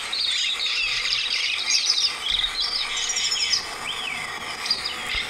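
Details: Lesser Goldfinch, Rio Blanco reserve, Caldas, Colombia, sings a high, rambling twitter of quick chips, slurred notes and thin rising and falling whistles, run together without pause.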